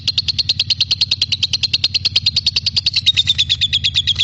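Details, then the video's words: Vigorously singing lovebird, tutor song for magpie-robins: quick, evenly pulsed high chirps, about ten a second, over a low background hum. "Burung Love bird gacor untuk isian murai batu"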